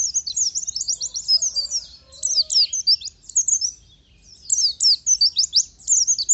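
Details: Oriental white-eye (pleci) singing high, rapid twittering phrases in three separate bursts, each packed with sharp up-and-down whistled notes and short gaps between them.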